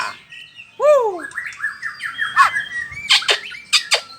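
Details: Bahorok white-rumped shama singing while staying in one place: clear arching whistles swooping down, then a chain of varied warbled phrases and several loud, harsh, explosive notes near the end.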